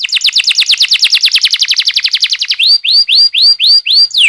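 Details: Canary rolling song played as a lure to get young canaries singing: a long rapid trill of about two and a half seconds, followed by slower looping whistled notes spaced about a quarter second apart.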